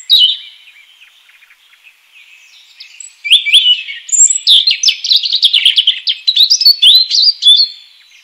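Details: Wild European robin gives a brief note, falls nearly silent for three seconds, then pours out a long, loud phrase of fast, varied high trills and twittering notes.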